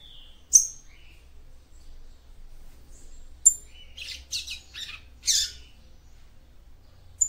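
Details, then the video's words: Female papa-capim seedeater vocalising to stimulate the male: isolated sharp high chirps, then a cluster of four buzzy rasping notes, with near silence between the calls. "CANTO DE FÊMEA PAPA CAPIM PARA ESQUENTAR SEU MACHO"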